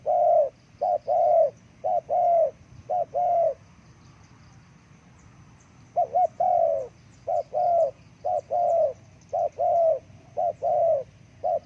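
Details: Spotted dove, played as a lure for wild birds, in two bursts of rhythmic cooing separated by a silent pause, each a short coo then a longer one, with faint high ticks in the background.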